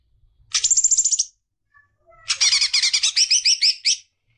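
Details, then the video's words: Greater green leafbird singing to stimulate young birds: one short burst of high rapid notes, a brief gap, then a longer fast series of buzzy, ringing pulses, about fifteen in under two seconds. "CUCAK IJO BIKIN JUNIOR NGETOP GACOR NGEPLONG"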